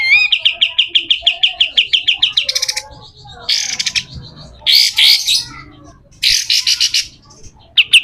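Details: Kapas tembak song in the coarse besetan style: a quick string of repeated notes speeding up into a buzz, then several loud harsh rasping bursts with quiet gaps between.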